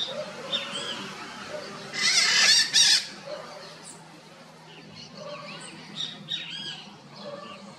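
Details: Red-shouldered macaws calling loudly from inside a chimney, the echo boosting their calls; two harsh, loud squawks in the middle stand out over a background of fainter scattered chirps and calls from other birds.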